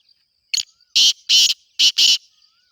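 A black francolin gives a harsh, grating phrase: one short clipped note followed by two pairs of loud rasping notes, over about two seconds against a quiet background.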